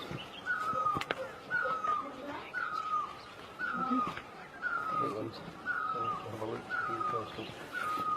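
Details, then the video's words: Great barbet from Asia sounding its mournful, slurred note again and again at about one-second intervals, with a sharp click near the start and faint lower calls from other birds. "Great Barbet, นกตั้งล้อ, Pehˇ oˍ, Piˇ oˍ loeˇ, Pi luˇ ma"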